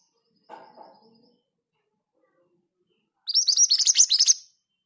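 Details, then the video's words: Scarlet minivet, called mantenan gunung locally, a kept songbird singing freely even beside other birds; a soft low murmur first, then after silence a rapid rolling run of high sweeping notes lasting just over a second. "Burung ini mudah bunyi bahkan diombyokan! Suara ngerol dengan speed yang pas. MANTENAN GACOR"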